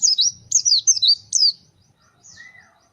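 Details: White-eye, the pleci bird, sings a brief string of loud, high, slurred whistled notes in quick succession, then fades to a soft trailing chirp.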